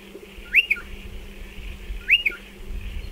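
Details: At burrows dug into a dry stone wall, a nesting striated pardalote gives two clear whistled calls about 1.5 seconds apart. Each is an arched note with a brief tail note, heard over a low background rumble.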